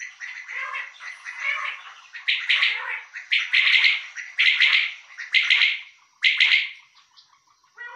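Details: Male common quail delivering a long series of emphatic, pulsed three-note phrases, about one per second, after softer introductory notes. Nothing else is heard.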